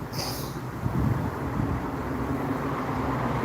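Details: Steady low traffic or vehicle rumble with a brief hiss at the start and a faint low hum throughout; no animal voices.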